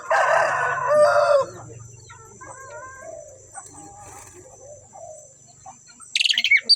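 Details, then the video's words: Two Asian pied starlings singing together, opening with a loud harsh rasping burst, then soft warbled and gurgling whistles, ending in sharp high chattering notes over a low steady hum. "sepasang burung jalak suren super gacor"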